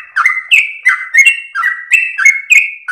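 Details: Melodious ropel song with long breath from a yellow-vented bulbul, used as training and lure material: rapid, loud whistled notes, rising then falling slurs, around nine phrases in three seconds, crisp high ticks above.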